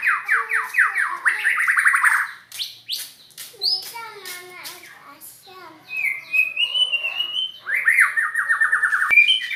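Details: Varied, strange-sounding song of a white-rumped shama: fast trilled notes, sharp upswept whistles and clicks, then a drawn-out rising whistle followed by another rapid trill.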